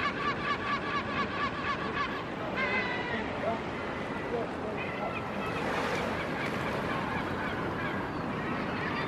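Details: A Hudsonian whimbrel (Numenius hudsonicus) at Reñaca, Chile, in 2023 gives a quick run of evenly spaced, whistled calls, then a few scattered calls over steady surf.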